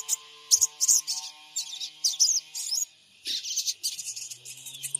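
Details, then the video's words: Lure calls of a spotted (trotol) sogon bird from Purbalingga, captured on an Android phone to make other sogon birds respond: dense, high, buzzy chirp phrases repeated in rapid groups, with a brief pause midway. "Pancingan SOGON trotol PENJEBOL EMOSI SOGON MACET BUNYI"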